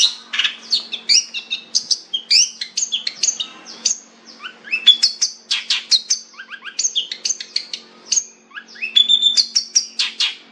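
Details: Long-tailed shrike singing a rich, varied phrase of high whistles, slurred notes and quick chips, changing pattern constantly in a continuous, lively stream.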